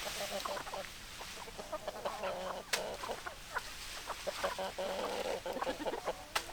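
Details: Chickens clucking in a group: dense, overlapping short clucks and some longer notes, with steady background noise.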